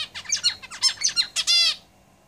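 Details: In a cage, a zebra finch strophe: about a dozen fast, buzzy, down-slurred nasal notes ending in a longer, strongly harmonic drawn-out buzz, then silence.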